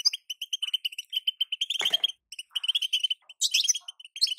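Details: Female European goldfinch call for stirring a moulting male to sing: a steady string of crisp repeated chips, interrupted by a brief rustling noise, then a harsher, buzzy twitter.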